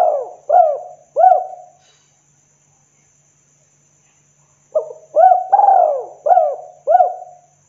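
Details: Cooing of a spotted dove, a local tekukur lure call meant to attract other doves; phrases of arched, mellow coos, a few short notes, a silent gap, then a fuller phrase with a long sliding middle coo.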